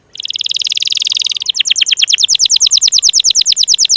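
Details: Canary song meant to prompt stalled, lazy or juvenile canaries into full song: a rapid buzzy trill that switches midway into a steady series of sharp descending chips, about eight per second.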